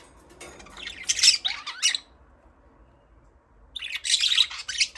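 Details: Budgerigars chirping in two bursts of harsh, scratchy, high chatter with warbled squawks, separated by about two seconds of near silence.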